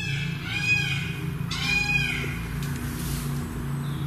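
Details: Indian peafowl at night in woods at Lydiate Abbey, where about 60 peacocks live: two loud, nasal, wailing calls, each under a second, about a second apart, over a steady low hum.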